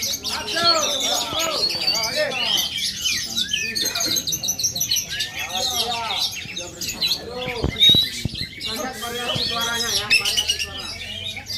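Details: Aceh-origin oriental magpie-robin pouring out a long, busy song of quick whistled phrases, chirps and sharp upslurred notes, broken by brief pauses, while people speak in the background and a few clicks sound.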